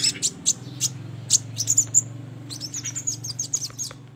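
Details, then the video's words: Trapping-lure recording of a sogon: scattered piercing high ticks and chips, then a quicker twittering run, all above a continuous low droning hum. "PANCINGAN PIKAT SUARA BURUNG SOGON"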